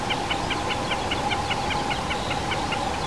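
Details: Common snipe on a peat bog at 1420 m in the Krkonoše mountains, Czech Republic: a rhythmic series of short, clipped notes repeated about two and a half times per second over a steady low hum.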